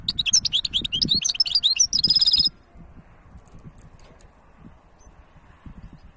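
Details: European goldfinch hybrid pouring out a rapid high twitter with a brief buzzy trill for about two seconds, then falling quiet apart from faint background sounds.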